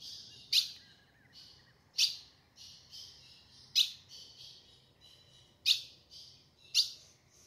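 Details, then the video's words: Female ultramarine grosbeak in the sertão's caatinga, calling to warm up the male's song; five crisp, explosive chips repeated every one to two seconds over a steady high-pitched hiss. "fêmea de azulão chamando pra esquentar e abrir canto do azulão"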